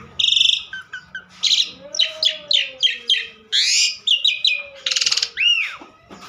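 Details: Asian pied starling in lively, nonstop song: harsh buzzy bursts alternate with clicks, clear rising whistles and a looping upslurred note near the end, with a faint low tone running underneath.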